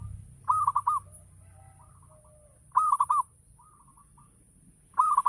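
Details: Local Javanese zebra dove in full ngayer song, intended to trigger other doves to sing: three rapid, bubbling cooing phrases about two seconds apart, with softer coos from another dove in the gaps and a low background rumble.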